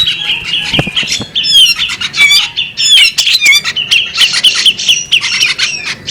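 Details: Female bearded magpie robin calling: busy, high-pitched chirps and sweet twittering notes, some sliding and warbled, packed closely together with brief lower flutter-like sounds.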